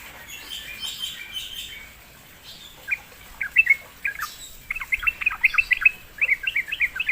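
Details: Sooty-headed bulbul lured to sing: faint chatter first, then lively bursts of quick, bouncing notes that grow louder toward the end.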